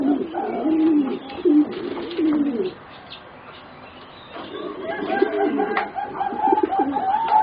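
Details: Young singing zebra doves of a competition-bred line, four birds about 3.5 to 4 months old, coo in a rolling low phrase, fall quiet, then resume softly under a steady high thin tone and light chirps.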